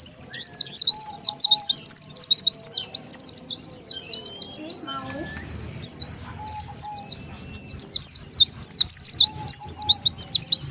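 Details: Oriental white-eye lure call used to draw wild white-eyes together: rapid, very high zigzag twittering in long dense bursts, broken by a brief gap near the middle where a lower sliding sound is heard, with faint steady low tones underneath.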